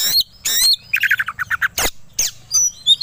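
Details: White-rumped shama, a kept songbird provoked to sing aggressively and ready to fight: harsh scratchy notes, a rapid descending series of whistled chirps, then loud broadband bursts and high thin whistles.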